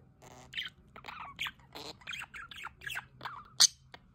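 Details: Budgerigars at a solar water fountain, producing separate short warbled phrases and chirps about every half second, ending with one sharp, piercing squawk near the close.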